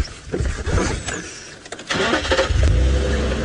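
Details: A car engine starts and revs during a sunset safari drive on October 12, 2017, with rumbling low noise and bursts of acceleration, and no animal voice.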